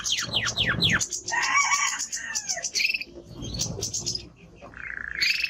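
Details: Male Timbrado canary song of quick falling sweeps, then a dense buzzy warble with high thin notes above, fading to softer fragments and a final rising trilled phrase.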